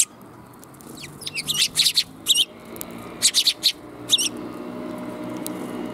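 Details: A group of sparrows coming for food, 5 December 2021, on the way out: rapid runs of high, sharp tweets in two bunched volleys, then a single late chirp, with steady low ambient hum throughout.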